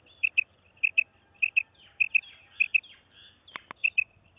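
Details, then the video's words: Female quail, known locally as madi batair, giving a steady run of high double notes, 'pi-pip', repeated about every half second. Two sharp clicks break in near the end before the pairs resume. "Female Quail Sound Effect"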